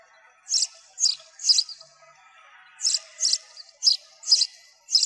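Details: High sparrow chirps in noise-cleaned sound, arriving in loose bursts of two or three notes with a short pause between groups.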